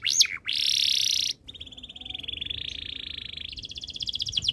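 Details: Canary song with a loud buzzy trill, a long steady warbled roll at mid-high pitch, and a faster rattling trill rising in pitch toward the end.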